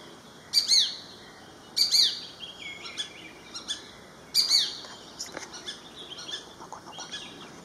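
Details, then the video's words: Shikra in Pune city, India, gives three loud, sharp, high double notes, each slurring downward, spaced a second or two apart, with softer chirps and a steady high hum behind. "SHIKRA CALLING"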